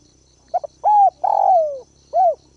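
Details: Decoy spotted dove cooing to draw in wild birds. A short stuttered double note opens, followed by a steady hooting coo, a longer falling coo and one closing arched coo, clear against faint background hum.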